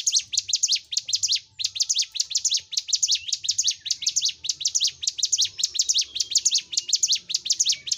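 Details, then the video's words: Hill Prinia singing energetically, recorded to excite group-housed caged birds into song and fighting. Quick, piercing chirps repeat in rapid paired bursts, briefly breaking near the start, above faint low-frequency noise. "Masteran CIBLEK GUNUNG (CIGUN) Gacor l Untuk M3rangsang Cigun Ombyokan Agar Cepat Fighter & Bunyi"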